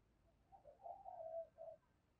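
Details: Spotted dove used as a decoy bird, giving a fighting call to provoke rivals: a soft, low, hollow cooing phrase of several notes, with a short pause before a final coo, against a quiet background.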